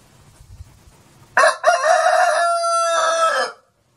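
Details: Rooster crowing, linked to Peter's denial on Maundy Thursday: after a low, murmuring start, a loud, harsh crow bursts out, holds a long strained tone for about two seconds and then cuts off.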